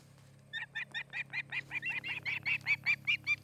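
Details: Osprey at its nest on a camera near Charlo, Montana, on the afternoon of 8 August 2018. A pair is nesting there. After half a second of low hum, a fast run of about twelve sharp, high chirps grows steadily louder.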